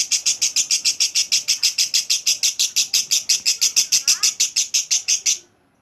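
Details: Clear ngekek from a lovebird, a chatter used to coax long ngekek from other lovebirds: a rapid, evenly spaced run of piercing notes, about six per second, stopping abruptly near the end into silence.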